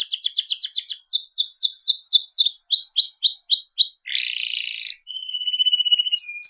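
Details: Lively canary song of rapid repeated chip-like notes that slow into rhythmic downslurred whistles, then a harsh buzzy burst and thin sustained high tones ending in sharp notes; quiet background.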